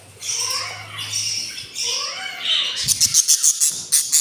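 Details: Hungry day-four budgie chicks from a breeding pair's clutch of eight eggs, three hatched, make drawn-out raspy squawks, then a fast run of sharp clicking, ticking pulses.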